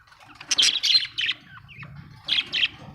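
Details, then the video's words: Australian budgie parrots chirping: bursts of bright, buzzy chatter high in pitch, with a few short warbled notes between loud clusters and quiet low room hum beneath. "Australian budgie parrots l birds chirping sound"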